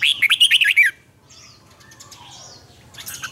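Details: Red-whiskered bulbul morning training song with doubled, twisting notes: a loud run of about six quick warbled phrases in the first second, followed by quiet background chirps and soft whistles, with a brief burst again at the end.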